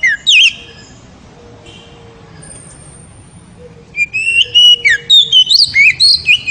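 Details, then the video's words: Oriental magpie-robin in ngeriwik style, singing to excite a female: a brief zigzag note, a long hush with faint tones, then rapid loud whistles and warbles rising and falling for over two seconds. "SUPER NYARING!!! KACER NGERIWIK HEBAT SEKALI BIKIN BETINA NGEPLONG"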